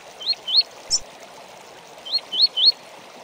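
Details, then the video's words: Double-collared seedeater giving its 'tui tui' tutor song for bird training: two upward-sweeping whistles, a short high chip, then three more rising whistles, against a soft rushing background. "6 HORAS DE CANTO TUI TUI PARA ENCARTE!!! - Coleiro"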